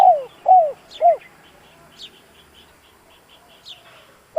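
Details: Spotted dove cooing meant to make a hesitant decoy bird call: three hoarse, falling coos at the start, then quiet with thin high chirps and a short note at the end.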